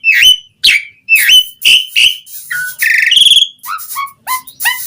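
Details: Asian pied starling in full song, used to lure other starlings into singing. Strong downslurred whistles come about twice a second, followed by a harsh buzzy rattle and soft rising whistled notes.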